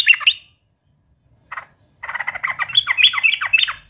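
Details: Yellow-vented bulbul singing vigorously as if taunting a rival in a fight: a brief squawky burst, a pause, a short note, then two seconds of dense, rapid, harsh chattering notes rising and falling.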